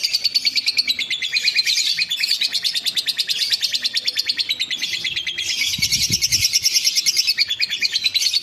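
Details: Lovebird, kept as a contest songbird, singing its ngekek style to provoke a rival: a long, fast, rapidly pulsed high chatter, near-continuous for over eight seconds with a brief pause around the middle.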